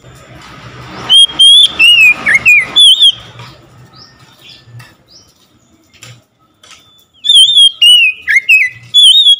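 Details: An oriental magpie-robin sings in reply to another magpie-robin. A rush of quick, sliding whistles and fluttering sounds is followed by a quiet stretch, then a fresh burst of sharp, twisting whistled notes.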